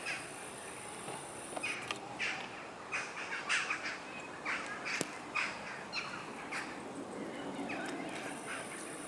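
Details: Large group of western jackdaws at sunset, gathering to sleep in trees in Houtwijk, The Hague, Netherlands, October 2015; scattered overlapping harsh chirps and clicks from many birds, with low background rumble.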